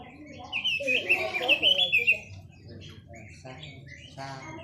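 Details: Chinese hwamei giving a strong, sustained whistled phrase with a wavering, trilled quality, then softer, scattered upslurred notes as the song trails off.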